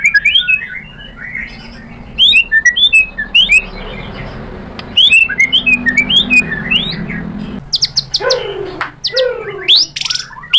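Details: White-rumped shama song as a lure for a rival: scattered quick whistled slurs over background hiss, ending with loud harsh sweeping notes.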